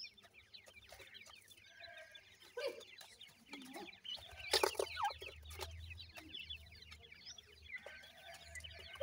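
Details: Young grey francolin (dakhni teetar) chicks chirp in a busy chorus of brief high falling notes, while rustling, knocks and a deeper rumble grow louder midway.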